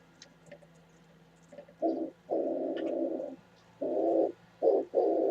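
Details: Oriental turtle dove, 27 January 2017: a low, husky cooing phrase of short and drawn-out notes after a quiet start, over faint background hum and scattered high bird chirps.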